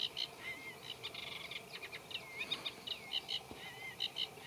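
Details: Reed warbler, Acrocephalus scirpaceus, singing from a reed bed: dense scratchy chatter of repeated clipped notes broken by clear whistled slides copied from other birds' calls.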